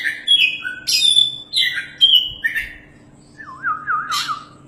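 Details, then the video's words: Caged Oriental magpie-robin, a champion bird meant as a training tutor, singing bright whistled phrases, then a lower wavering warble that rises and falls repeatedly near the end, with a soft steady hum behind. "BURUNG KACER JUARA GACORRR PAS BUAT MASTERAN"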